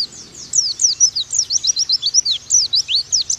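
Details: Oriental white-eye tutor song for training birds: continuous rapid sequence of bright, high downslurred whistles, about five per second, lively and uneven, over a low steady hum.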